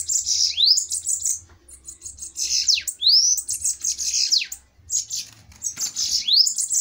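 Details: Fiery bananaquit fighting duel: bursts of shrill, sizzling, buzzy trills, each marked by clear upslurred whistles and quick down-slurs. A short lull comes near the middle, then the song resumes.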